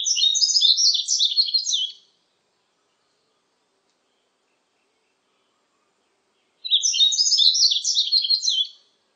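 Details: Yellow-throated Bunting song, with insect sounds in the recording: two high, rapid twittering phrases of about two seconds each, separated by a long silence.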